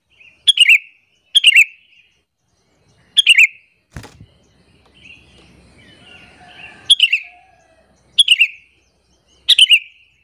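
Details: Sooty-headed bulbul calling to lure and provoke other bulbuls; short bubbling chirp phrases repeated, interrupted midway by a sharp knock and a few seconds of low rustling noise and faint softer chirps.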